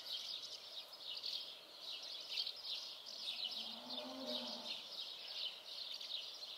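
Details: Common house martins twitter steadily in quick, high chirping bursts; the calling is softer here, and a brief low hum rises near the middle.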